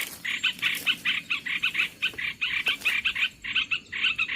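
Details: Lure recording of olive-winged bulbul used in bird trapping, bright chattering bursts of bubbly notes, each burst a fraction of a second, coming in an even rhythm.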